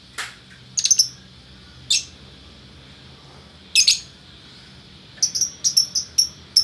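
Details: From Bukittinggi, West Sumatra, a male and female lovebird pair, noted as gacor: scattered bursts of shrill squeaky chirps with pauses, ending in a quicker run of piercing notes.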